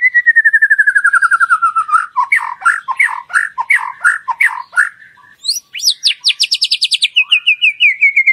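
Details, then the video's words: White-rumped shama song played as a lure so other shamas sing out: a falling rapid trill, rich chattering phrases, then a high fast trill that steps down lower. "Pancingan Murai Batu Agar Bunyi Ngeplong"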